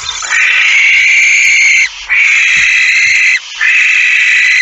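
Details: Barn owl screeching on 17 September 2019 at dawn, 06:11, as a female comes in carrying a mouse: three loud drawn-out hoarse rasps, each nearly two seconds long, with short gaps between.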